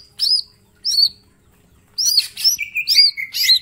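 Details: Mini green leafbird song packed with shot-like notes, meant as master song: two separate high looping whistles, then a dense outburst of chirps and a level buzzy trill.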